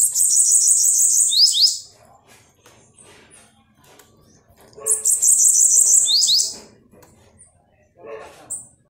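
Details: Pet Bananaquit perched on its keeper's lap, delivering two high-pitched wheezy trills about five seconds apart, each rapid and buzzy, ending with quick falling slurs. Soft indoor rustling and faint voices fill the pauses.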